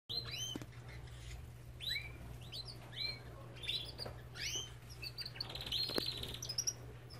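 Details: Belgian canary from an aviary singing quietly: scattered upslurred chirps and short whistled notes, a brief fast trill near the end, over a steady low hum.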